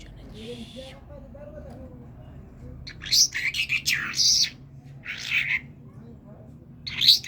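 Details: Kerman talking common myna giving scattered harsh, squawky notes and short whistles after a quiet start with a faint buzzy note and a soft low voice-like sound.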